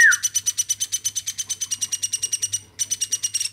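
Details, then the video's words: Captive woodpecker, reared by hand from a baby, giving non-stop calls: a brief falling whistle opens, then a long train of quick raspy pulses, a short pause, and the rapid pulsing resumes. "AMOY BURUNG PLATUK GACORNYA SAMPAI 5 MENIT"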